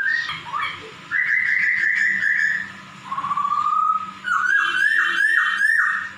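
A laughingthrush gives drawn-out, slurred whistles that mimic a cat's meow.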